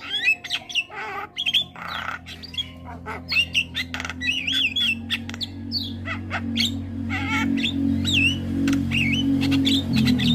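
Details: Several kinds of starling chatter in a bird-training recording meant to get starlings singing. Wavering whistles, squawks and clicking chirps are packed closely together, over a low humming music bed that gradually grows louder.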